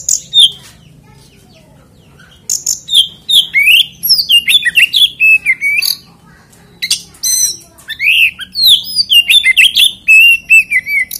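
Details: Oriental magpie-robin (kacer) song used as a lure to get other magpie-robins singing: loud phrases of whistled notes with rising and falling slurs, sharp chirps and high buzzy elements, in bursts separated by short pauses.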